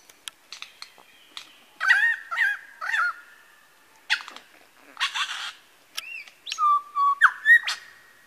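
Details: Male lyrebird at Masons Falls, Kinglake National Park, mimicking various birds: scattered sharp clicks, then looping whistled phrases near the middle and a long steady whistle followed by rising notes at the end.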